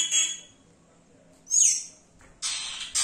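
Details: Mimicking Yellow-rumped cacique song: a loud harsh note, a pause, then a bright high slurred whistle dropping in pitch, followed by rough, noisy, rasping bursts.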